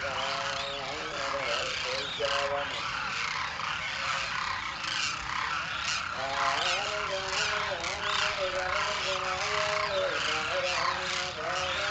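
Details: Demoiselle cranes calling in flight, a flock giving overlapping rolling, slightly rising and falling trumpeting notes continuously, dense chorus of many birds with steady background noise.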